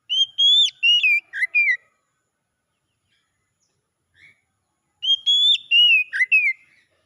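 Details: Oriental magpie-robin singing a recovery song meant to restart a silent bird: two matching phrases of bright, wavering whistles, each with about five quick bursts dipping and rising, separated by a few seconds of silence.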